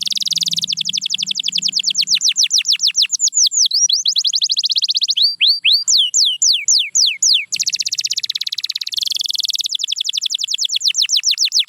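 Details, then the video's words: Canary song used to coax quiet canaries into singing: rapid runs of high, thin downward-sweeping notes in fast trills, changing tempo between sections, with a slower stretch of broader, looping whistles midway and no pauses. "The Secret Sound That Brings Back Any Quiet Canary"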